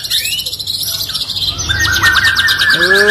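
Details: White-rumped shama (murai batu) singing in an online bird singing contest: dense high chattering notes, then clear descending whistles and a rising, harmonic-rich slurred phrase near the end.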